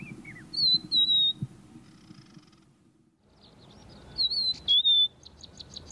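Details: A confiding Rufous-naped Lark in southern Africa sings from song posts such as a fence pole, advertising itself or attracting a mate: short, clear whistled phrases, a slurred double note repeated after pauses, over low wind rumble.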